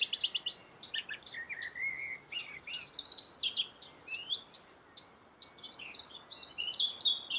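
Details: Yellow-billed common blackbird in vigorous song. A busy stream of high squeaky twitters and short whistles runs throughout over a noticeable background hiss.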